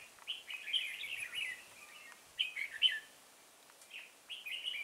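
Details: Red-whiskered bulbul song recorded at a trapping site with a decoy bird, Chùa Hương, Vietnam, 5 March 2018: clear, cheerful whistled phrases of several quick slurred notes, repeated after short gaps, with quiet surroundings.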